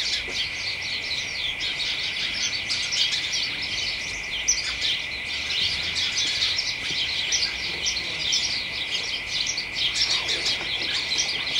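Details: House sparrows with other birds chattering excitedly in a hedge on a late December afternoon: dense, overlapping high chirps and tweets pour out continuously, over a steady unbroken high-pitched tone in the background.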